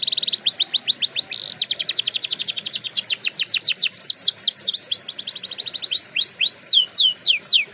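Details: Canary song used for training canaries: fast trills of steep, repeated down-slurred notes, some rising, shifting through several tours, roughly four notes per second, bright and high throughout.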